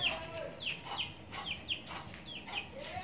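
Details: Huýt cô bird at a trap site in rural Vietnam at the first rain of the season, a male challenging a caged female decoy. Sharp, high, downslurred whistled notes repeat about every half second, over a hissing outdoor background.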